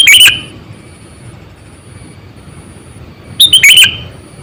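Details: Lure sooty-headed bulbul about 8 to 9 years old: a falling slurred phrase at the start, then after a three-second gap another loud burst of quick liquid notes, with a faint high steady tone throughout.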